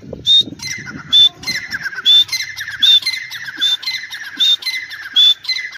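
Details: Grey francolin in a teetar voice compilation of Dakni and Irani types: high whistled upslurs alternating with grating lower notes, roughly every second, over a steady background hiss and low rumble.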